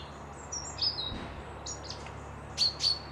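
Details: Birds at a lodge by a loch in Dundee give thin, high whistles and chirps, closing with two loud, sharp whistled notes in quick succession.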